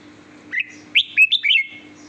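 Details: Red-whiskered bulbul with a sweet song: a lively phrase of four or five clear, whistled notes, each rising or slurred, delivered in quick succession over a quiet background hum.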